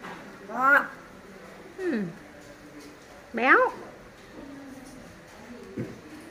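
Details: Talking common hill myna imitating speech, said to be calling a baby's name: three separate voice-like harmonic syllables spaced about a second apart, sliding downward, over quiet music.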